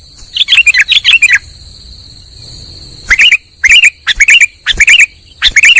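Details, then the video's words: Sooty-headed bulbul lure call used for trapping: bubbly chirping bursts, a busy cluster at first, then after a pause short bursts repeated roughly every half second, over a steady high electronic-sounding tone. "SUARA PIKAT BURUNG KUTILANG"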